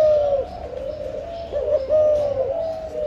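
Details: Continuous, overlapping mellow coos from breeding spotted doves, steady low tones with small wavering breaks.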